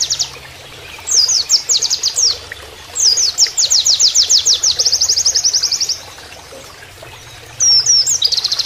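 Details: Canary-like song of an Oriental white-eye, used as a training master, with running water behind it: long runs of rapid, high-pitched repeated notes broken by a few sharp slurred whistles.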